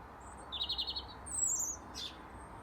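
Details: European robin in a Dublin garden, February: a high rapid trill, then a thin wavering phrase still higher, ending in a short sharp note.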